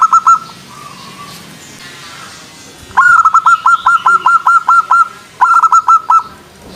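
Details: Local zebra dove, a kept songbird, singing to rouse the opposite sex into calling: brief mellow cooing notes, a quiet gap, then a lively run of rapid, bubbling, repeated coos in two bursts over faint background hiss.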